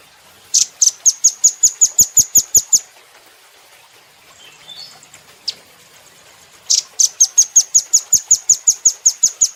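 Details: Caged velvet-fronted nuthatch on a training recording: two bursts of thirteen to fifteen rapid, high chipping notes, separated by a few seconds of quiet holding soft, faint warbled notes and one lone chip.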